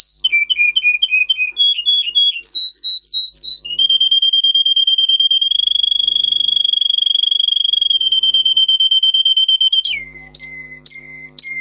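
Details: Russian singer canary training song: short repeated falling whistles, then a long steady high trill held for about six seconds, ending in a lower repeated note series with a faint low hum in the background.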